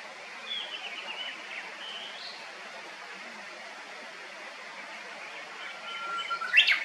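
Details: Japanese bush warbler song: faint slurred whistles early on, then a steady whistled note held almost a second and ending in an abrupt, loud, rising flourish, over constant background hiss.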